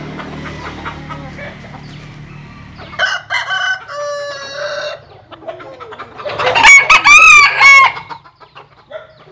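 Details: Jap Cuban bantam roosters sunbathing in the countryside crow repeatedly. A low hum sits under a first harmonic crow, then comes a second crow. A loud, wavering, undulating crow peaks near the end before fading into quiet.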